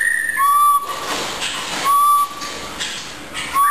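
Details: A captive research blue jay in a laboratory whistles pure, steady tones, each held about half a second and starting after a short higher note, repeated roughly every one and a half seconds over a soft hissing background.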